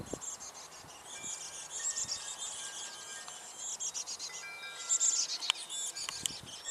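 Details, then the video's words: Chickadee nestlings beg noisily as their mother brings food: a dense, high, hissing chatter swelling in pulses, with a few thin whistled notes drifting through. "momma chickadee brings food to hungry babies that are making alot of noise"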